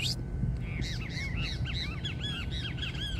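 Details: Saffron finch (canário-da-terra) singing a series of bright arched chirps, repeated several times a second in an accelerating, slightly descending run, over steady low rumbling background noise.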